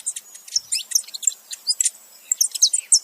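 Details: A male and female saffron finch calling together: fainter, scratchy high chirps and twittering notes in irregular clusters, some sharper peeps toward the end.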